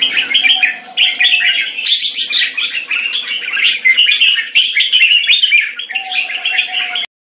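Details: Red-whiskered bulbul recorded on 2 September 2017 pours out a continuous, jumbled chirping song. A steady faint tone sits beneath the song, which stops abruptly at the end.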